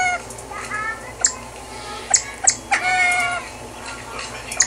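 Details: Male Siamese fireback singing at Antwerp Zoo, Belgium, giving thin, slurred, mewing calls in short runs, with a few sharp clicking notes between them and a faint murmur behind.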